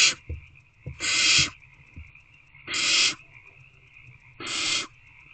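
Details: Owlets waiting in a nest box for a food delivery at dusk in early March give long, rasping hiss-screeches of nearly half a second, three in a row about two seconds apart, with a constant thin whine underneath.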